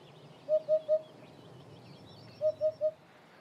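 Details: Eurasian hoopoe (Upupa epops) giving two soft, hollow, evenly spaced triple notes 'oop-oop-oop'; its three-note song is typical of countryside soundscapes in spring.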